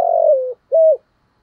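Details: Brief cooing of a spotted dove decoy with a 'giọng thổ' voice: one long, smooth, slowly falling coo followed by a shorter level note that dips at its end; silence after.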